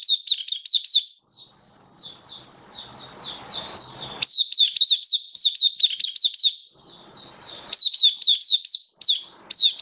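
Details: Oriental white-eye kept in a cage, recorded 27 October 2022, pours out a long, rapid chatter of sharp, high, sweet chirps. The notes run together almost unbroken, with a soft low murmur behind at times.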